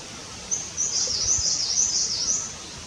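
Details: Himalayan Cutia building a nest; a high, thin string of rapid wavering notes, slightly buzzy, lasting about two seconds over a steady hiss of background noise.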